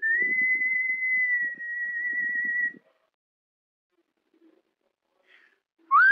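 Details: Pet cockatiel whistling the melody of the Scorpions song Wind of Change, a learned imitation from training: one long, clear, steady whistled note with a slight wavering finish, soft low rustling beneath, then quiet.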